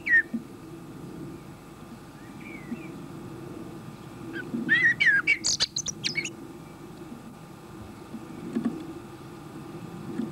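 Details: A male common blackbird, a regular feeder at a bird table, sings while feeding with his mouth full: a few soft fluty whistles, then a brief mellow phrase ending in a squeaky twitter, over low background rumble.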